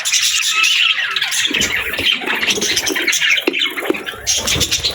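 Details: Budgies with chicks, parents caring for and feeding their young: busy overlapping chirps and harsh chatter, joined by sharp clicking and scraping noises partway through.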